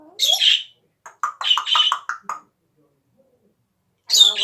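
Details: Coughing pet parrot in a small room: a harsh squawk, then a quick run of five or six clipped, hacking bursts, a pause of near silence, and another rough squawk at the end.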